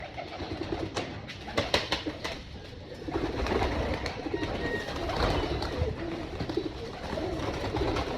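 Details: Flock of domestic pigeons on a rooftop pigeon farm at breakfast feeding time; low, murmuring coos run through the clip, broken by sharp wing claps and clattering bursts from the busy birds.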